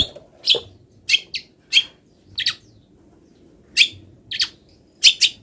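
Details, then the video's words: Moulting long-tailed shrike singing a training song packed with borrowed wild-bird sounds: scattered harsh, high chips and brief whistled accents, often in quick pairs, separated by short pauses. "MASTERAN CENDET FULL ISIAN BURUNG LIAR"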